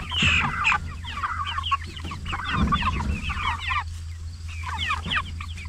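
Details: Forty-four-day-old jumbo Cornish Cross meat chickens; a flock of short curving chirps and peeps in quick clusters, a steady low mechanical hum running throughout.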